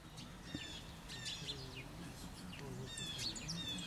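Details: Brown Creeper at Darrow Lake, Stow, Summit County, on 29 November 2019, giving thin, very high, hissing notes in quick, uneven runs over a steady low background rumble.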